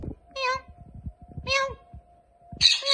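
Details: Pet Indian ringneck parakeet that speaks words like "Allah hoo": two drawn-out, vowel-like harmonic syllables a second apart, then a harsher, broader utterance, with soft tapping and a faint steady hum indoors.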